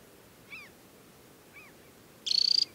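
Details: Adult summer Temminck's stint, banded, at Tinnhølen lake on Norway's Hardangervidda plateau in early July; two faint downslurred notes from another bird precede one loud, high, fast-pulsed dry trill.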